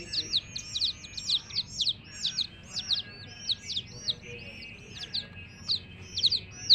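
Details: Young chickens calling: loud, high cheeps falling in pitch, arriving in uneven bursts roughly twice per second, with quieter peeps between and a soft low hum behind.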